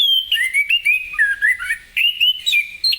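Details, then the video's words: Orange-headed thrush singing lively in the ngeplong style in the morning, meant to prompt other birds to answer. It gives a continuous stream of rich, slurred whistles that rise and fall, in quick phrases with brief pauses. "Anis Kembang Ngeplong Gacor di pagi hari, apapun burung anda pasti ikutan nyaut"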